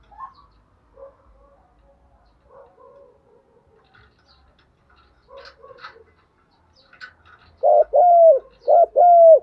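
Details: Morning call of a female spotted dove decoy luring males. Faint scattered murmurs and soft clicks come first, then a clear run of four loud, evenly spaced coos near the end.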